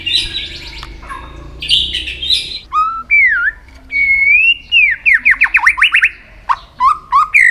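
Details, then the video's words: White-rumped shama being pushed to sing hard for contests: buzzy chatter, then long clear whistles and a rapid volley of sharp slurred notes, ending in rising whistled phrases. "luyện giọng chòe lửa hót kích chòe lửa nhanh căng lửa"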